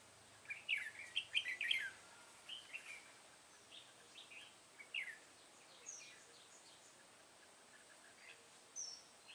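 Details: Red-whiskered bulbul filmed during bulbul trapping: a burst of bright, warbled phrases in the first two seconds, then scattered shorter whistled notes spaced a second or two apart over a quiet background.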